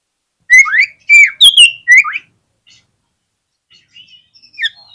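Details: An Oriental magpie-robin sings a lure song meant to make rival magpie-robins answer. About four loud slurred whistles come in quick succession, followed by quiet, scattered soft notes.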